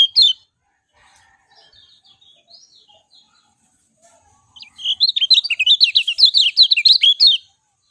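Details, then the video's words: A lemon-bellied white-eye opens with a sharp chirp and a few faint distant notes, then after a pause breaks into a loud, hurried twitter of high, slurred notes lasting nearly three seconds. "SUARA JERNIH ALAMI BIKIN KECIAL KUNING CEPAT RESPON"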